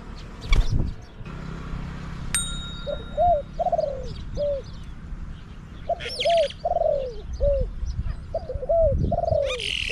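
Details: Spotted dove, a caged decoy calling to lure wild doves at Song Phi Nong. It gives repeated mellow, hooked coo phrases in short bursts, with sharp chirps from other birds and a brief metallic ping.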